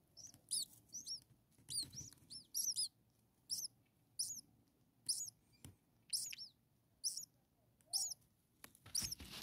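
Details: Hungry common starling nestlings, six chicks a few days old in their nest, calling with rapid high-pitched squeaky begging notes in clustered bursts, sharp and rising-falling, with faint rustling below.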